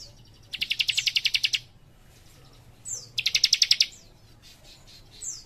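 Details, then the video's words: Young leaf warbler singing energetically in dense bursts: two long, rapid trills of about a dozen high chipping notes, each lasting around a second. Brief thin downward slurs come between and after them. Faint low hum. "Cikris Muda Gacor Nembak Rapat"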